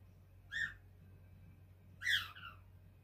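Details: A five-month-old pet cockatiel chatting while perched on a light-blue sand perch. It gives two short, clear chirps about one and a half seconds apart. The second chirp is brighter and trails into a softer falling note, against a quiet indoor hum.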